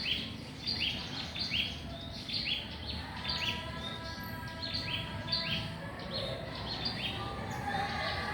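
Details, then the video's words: A small, loud-voiced bird sings in a mango tree, giving quick, high, downward-sweeping notes in repeated bursts over steady background hiss. "BURUNG KECIL BERSUARA KERAS"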